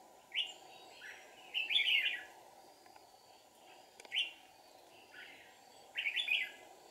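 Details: Red-whiskered bulbul used as a decoy while trapping wild birds in deep forest, 1 April 2019: short bright warbled phrases in separated bursts, the last a quick rolling cluster, over a steady low hum.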